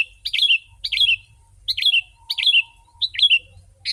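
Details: Lively sooty-headed bulbul song, sung densely to attract wild birds. Five short, chortling phrases come at a steady pace, each a burst of rich, bubbling notes dropping into a brief slurred ending, with a faint low hum beneath.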